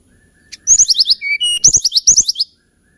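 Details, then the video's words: Hill blue flycatcher song in three fast bursts of high slurred, tumbling notes, separated by short clear whistles at lower pitch. "TLEDEKAN GUNUNG KICAU MERDU"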